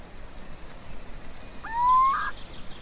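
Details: A lone rising whistled call from a little owl, sliding upward and closing with a short buzzy burst, in a quiet outdoor setting.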